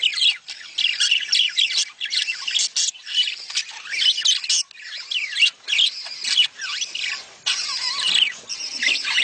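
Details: Budgerigars chatter in a mating call used to encourage breeding: long rolling phrases of scratchy warbles and squawks with slurred whistles, broken by short pauses every second or two.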